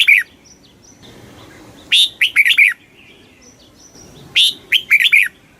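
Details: A red-whiskered bulbul sings in the very fast 'kích bổi' stimulating style: two loud bursts of sharp, bright slurred notes about two seconds apart, with faint high thin whistles in the gaps.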